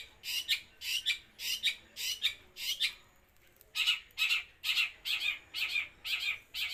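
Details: Long-tailed shrike giving loud, rasping squawk-like notes in pairs and triplets, about two per second, with a short pause midway, as part of its continuous 'los trotol' singing.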